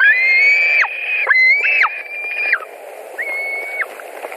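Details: White-tailed eagles at their nest in Latvia, 16 July 2020, an adult arriving with fish: several sustained whistles, each ending in a falling slide, and the last note shorter and quieter.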